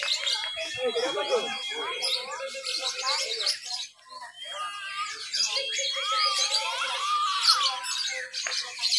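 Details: Lovebirds at a Papua singing contest on 31 October 2021, Lovebird B mixed class; long ngekek song. Wavering whistled and buzzy trills with sustained thin tones, several birds overlapping throughout.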